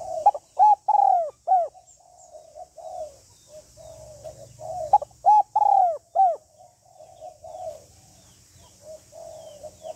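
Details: Spotted dove hen calling to excite a male, delivering two loud phrases of arched, resonant coos, each followed by softer rolling murmurs, with quiet low hum beneath.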